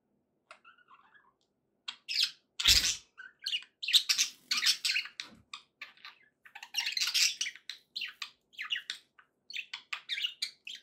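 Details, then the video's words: Happy budgerigar chatter: sparse faint chirps, a sharp loud click, then lively bursts of buzzy, clicking warbles and squeaks repeated in quick succession. "happy budgie sounds"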